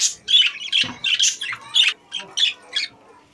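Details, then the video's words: A short run of about ten high, sharp chirps and squeaks from caged budgerigars, spaced roughly a quarter second apart, with a soft thud early on. "Beautiful Budgies Singing in Cage | Singing Parakeet in Cage"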